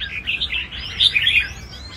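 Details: Red-whiskered bulbul singing in a large bird-singing arena, its competitive style shown: bright, rapid warbled phrases with quick rising and falling whistled notes, loud bursts near the middle, over a low background hum.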